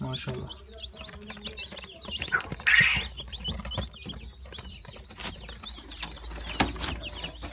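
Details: Brahma chicks dated 22 April 2018; scattered thin, high peeps in short falling notes, partly masked by clattering, tapping and a loud knock near the end.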